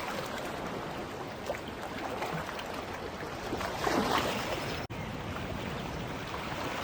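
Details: Steady beach surf with rushing, broadband wave wash that swells slightly midway, followed by a brief dropout near the end; no animal calls stand out.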